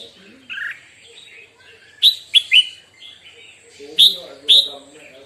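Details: A red-whiskered bulbul sings in the morning as song training, with loud, bright whistled notes in short bursts about two seconds apart and softer chattering between phrases.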